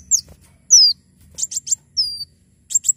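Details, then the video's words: High, thin song of a Javan sunbird, intended as a tutor and prompt for other birds: separate falling whistles spaced between short clusters of sharp chips, over a faint low rumbling hum. "Kolibri wulung gacor"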